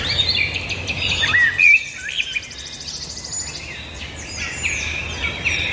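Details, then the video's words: Several birds sing at once, giving quick repeated chirps, a rapid buzzy trill mid-clip and slurred whistled notes, set against a constant low rumble and soft hiss. "birds singing"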